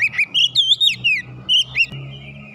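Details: Agitated magpie-robin delivering a short series of clear rising and falling whistles, about eight notes, over a steady low hum.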